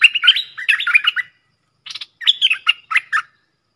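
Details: Streak-eared bulbuls, a matched pair, dueling hard in song as lure audio, 30 October 2021: a rapid bubbling phrase, a short pause, then another run of warbled, up-and-down notes.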